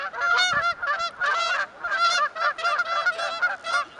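Canada geese give loud, nasal honks in a rapid run of about a dozen calls over four seconds, overlapping as if two birds answer each other.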